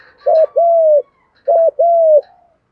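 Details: Thúc gù, gù đấu cooing by male and female spotted doves, used to stimulate birds in training; two phrases, each a short note running straight into a longer level coo, in quiet surroundings.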